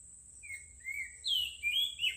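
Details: Gentle bird song of a few clear whistles, level at first, then louder slurred phrases climbing higher, over a constant high-pitched hiss.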